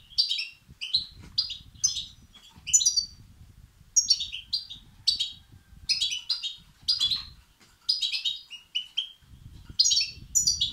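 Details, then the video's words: European goldfinch chicks giving begging calls to excite males: repeated bursts of high, buzzy, descending chirps roughly every half second, with a low background rumble. "بتبتة وستستات فراخ الحسون الأقوى لتحفيز وتهييج الذكور"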